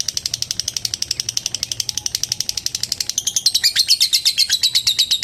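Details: Caged lovebird giving a long ngetik trill to call a rival, rapid high ticking notes in steady succession that turn into louder, rougher chattering after three seconds.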